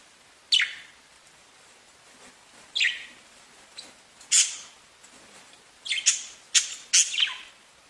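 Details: Singing pet budgerigars: spaced, sharp high chirps and short squawks against a soft background hiss, gathering into a quick cluster of notes near the end.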